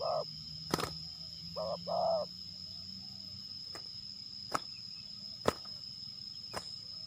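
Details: Spotted dove lured for a fight test in West Lampung, Indonesia: a single coo, then a quick short-long pair of soft rolling coos, followed by silence broken by several sharp taps and a constant high insect tone.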